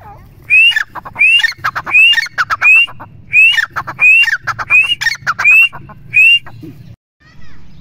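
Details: Grey francolin (teetar) giving a steady series of about nine loud, rising whistled notes, each followed by harsh rattling notes and spaced under a second apart, ending abruptly, over a faint low hum.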